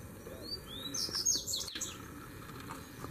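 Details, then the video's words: Three double-collared seedeater males arrive at once to duel; a pair of high rising whistled notes runs into a rapid jumbled twitter that fades out, with a constant low hum underneath. "VEIO 3 COLEIROS BRIGAR DE UMA VEZ SÓ DUELO DE FIBRA!!!"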